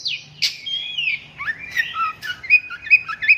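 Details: Long-tailed shrike song: sweeping slurred whistles dropping and rising through mid to high pitch, then a run of short bright repeated notes toward the end, with a faint low hum underneath.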